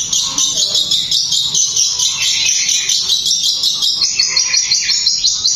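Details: Long-tailed shrike kept for song, in speedy 'tembakan' delivery thought to rouse other shrikes. A shrill, rattling, buzzy chatter rings almost unbroken with rapid pulsed notes throughout.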